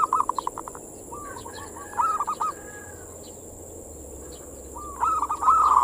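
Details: Manggung song of a zebra dove (perkutut) played to bait and stimulate other local doves; a quick pulsed trill, then bubbly rolling coos, a long pause, and another loud trilled phrase, over steady hiss.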